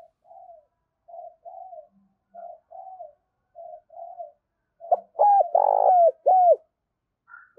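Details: Spotted dove calling to draw in wild doves. A run of soft, short paired coos builds into a burst of loud, ringing coos near the end, with a faint higher note after. Otherwise still.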